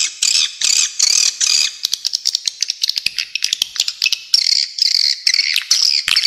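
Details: Swiftlet calls: several harsh, buzzy chirps in even bursts, then a fast run of dry clicks and short twitters, ending in a renewed stream of high, rasping chirps.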